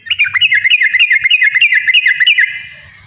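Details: Yellow-vented bulbul in rapid 'ropel' chatter, used as a lure to set off singing and fighting: some fourteen quick bubbly notes in a steady string lasting over two seconds, then fading away.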